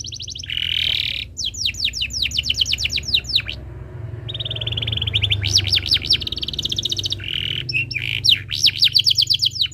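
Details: Lively canary singing a master song for young canaries learning to sing: alternating buzzy rattles and runs of fast down-slurred whistles and trills, over a steady low hum.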